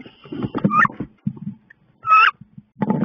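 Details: Two female wood ducks clash in a nest box on 16 May: heavy low scuffling and thumps, with two shrill rising squeals about 1.3 seconds apart.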